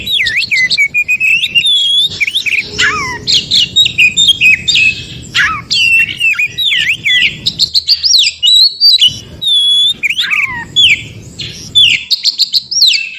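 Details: Forest recording of an Oriental magpie-robin whose song is played so other magpie-robins respond. A fast, continuous medley of high whistled notes, sharp chirps and looping slurs, with brief gaps between bursts.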